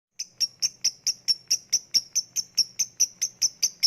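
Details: Caged lovebird giving 'ngetik' typing-style calls, used as a lure for lazy lovebirds to sing: sharp high ticks repeated evenly about four times a second, steady and clean, no other sounds.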